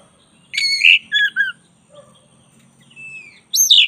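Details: Black-breasted Oriental magpie-robin song in a training recording: loud squeaky whistles, a soft lower note and thin level whistle, closing with a high sharp phrase over faint low hum.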